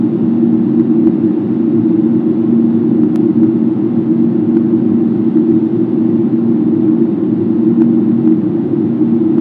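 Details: Steady low rumble of traffic or engine noise fills the recording with no animal voices; a few faint clicks stand out.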